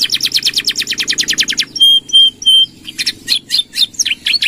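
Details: Gacor canary singing for tutoring other birds: a quick series of buzzy repeated notes, three drawn-out pure whistles, then scattered chirps and short trills with a faint low hum underneath.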